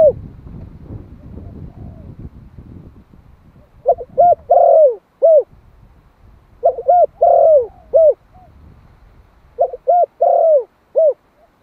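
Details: Spotted dove, a one-year-old Malay-type male kept as a decoy, calling to attract a mate; three bursts of low, mellow cooing phrases of four or five notes near the end, after a few seconds of faint low rumble.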